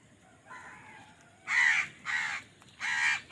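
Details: Crow fighting over food: a softer nasal note, then three loud, rasping caws in quick succession.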